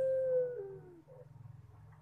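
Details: A single long drawn-out note from a collared dove in pelung style starts level and then sags downward as it fades. A low rumbling background continues underneath.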